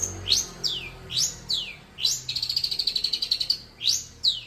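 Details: Young captive long-tailed shrike being trained to sing: loud downslurred whistles about every half second, broken by a rapid buzzy trill lasting over a second, then more slurred whistles.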